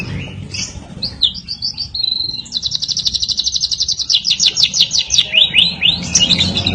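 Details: Champion competition white-rumped shama singing a bright high run of quick whistled notes that turns into a long, fast, even trill, then breaks into varied warbles at the end.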